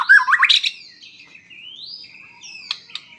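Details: White-rumped shama with a rapid run of rising whistled notes, then long smooth gliding whistles and a few sharp high ticks.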